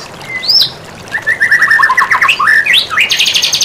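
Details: White-rumped shama song used as a tutor recording: a lone rising whistle, then a rapid string of bright, varied chirps and upward-sweeping whistled notes, closing with a dense buzzy trill.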